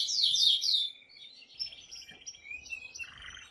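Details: Aroused male canary singing to stimulate a female to mate, beginning with loud quick descending sweeps, then quieter varied chirps, short whistles and a buzzy phrase at the end.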